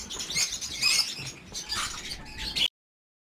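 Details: Crowded aviary of breeding lovebirds in the 2019 nesting season giving a busy wash of high chirping and squeaky calls from many birds, ending abruptly in silence.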